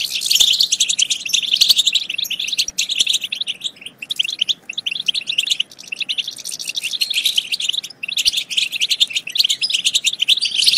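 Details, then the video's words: Dense goldfinch chorus of rapid high twitters and trills, used to stimulate goldfinches to sing and mate, flowing almost without pause, with a few sharp clicks. "بتبتة تجنن الحسون وتفقده العقل بتبتات خرافية في تحفيز الحسون على التغريد بتبتة تخرج حسونك عن السيطرة"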